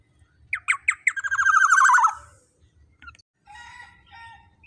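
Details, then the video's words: Kepodang emas, the black-naped oriole, calling loudly as a lure to excite rivals: a few clipped, accelerating notes run into a drawn-out grating nasal squawk, followed by softer scratchy chatter and quiet low hum. "Pancingan Suara Burung KEPODANG EMAS Gacor Lantang Bikin Lawan Ikut Emosi & Bunyi"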